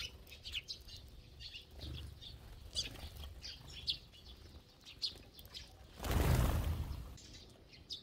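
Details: Feeding sparrow flock chatters with quick high chirps at irregular intervals; a loud broad rushing burst, like wings or a disturbance, interrupts for about a second near the end.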